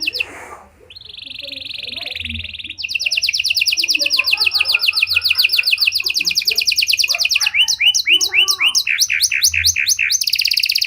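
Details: Panda canary in full cengkok song, a lure to provoke and train fellow canaries: a buzzy held note, then long fast rattling trills climbing into high chips and descending whistles, with faint low background sounds.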